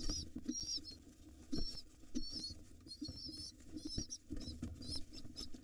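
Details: Wild pigeon nestlings fed by their father in a nest box: short, high squeaky peeps in irregular clusters among knocks, scrabbling and rustling.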